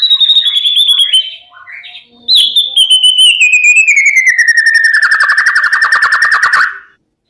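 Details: Male white-rumped shama song used to provoke silent males into singing: a loud sliding whistle, then a long, steadily falling series of rapid repeated notes forming a dense trill that stops abruptly.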